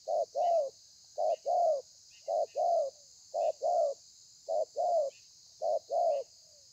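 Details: Thổ pha song of a spotted dove, with lèo and dặm variations, dated 30/11/2020; regular couplets of a clipped coo and a fuller slurred coo about every second, over a constant high hiss.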